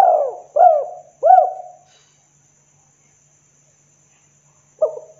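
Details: Spotted dove lure call in the 'kuk 2' style: three quick, soft coos in a row, a long silence, then another coo begins; a faint, steady high whine runs throughout.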